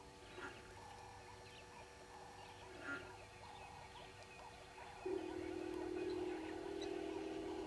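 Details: Red-billed hornbills at Djuma, 05:34 on 10/02/19: faint low clucking notes repeated about four per second, followed by a steady droning buzz from about five seconds on.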